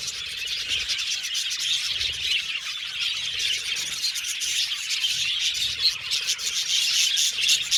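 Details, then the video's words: Flock of budgies giving sweet tweets and happy chatter: a steady wash of rapid, high chirps about four per second, irregular and overlapping, with brief whistled notes mixed in. "Budgies Chirping Sound"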